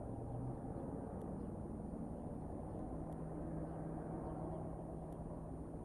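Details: Steady outdoor rumble with a low hum and faint clicks; no animal voice is heard.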